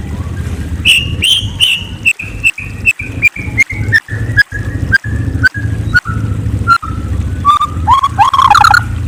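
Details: White-rumped shama singing at night: a long run of clear whistled notes stepping gradually downward, punctuated by sharp clicks, ending in a jumbled burst of rapid warbled notes, with a low hum throughout.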